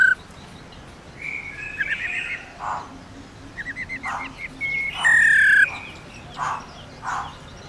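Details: Female black-throated laughingthrush giving a long 'ro ro' call meant to stimulate males to sing: short rattling trills and chattering notes, then a loud clear whistle sliding downward, followed by a few soft husky notes.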